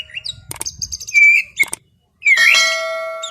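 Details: Afternoon relaxation song of a white-rumped shama, with scattered whistles and clicks, a clear level whistle, a pause, then a rich rising whistled phrase that trails off.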